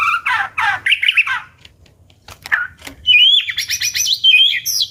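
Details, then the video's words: White-rumped shama singing loudly: throaty warbled phrases and squawky notes, then a fast, high, sliding whistled trill of repeated notes. "chòe lửa hót giọng hay, đập tạch liên tục"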